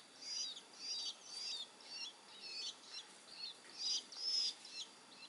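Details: Three-week-old long-tailed shrike chick, hand-fed crickets, calling with a series of short, high, looping squeaky notes, roughly two per second, fairly quiet and steady.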